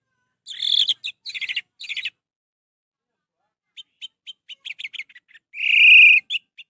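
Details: Orange-headed thrush song, used to prompt a reluctant bird into singing: bursts of high, buzzy twittering notes, a long pause, then scattered quick chips ending in one loud, sustained rasping note.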